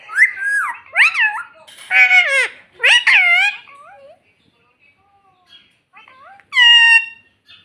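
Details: Talking pet parrot said to repeat "mummy": a quick run of loud, nasal, speech-like syllables with sliding pitch, a quiet stretch, then one more strident call.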